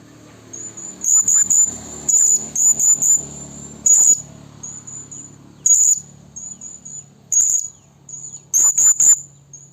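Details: Blue-crowned hanging parrot, described as a female calling to males, used as a lure call for trapping: very high, thin, sharp chirps in short bursts and clusters every second or two, with faint low background hum.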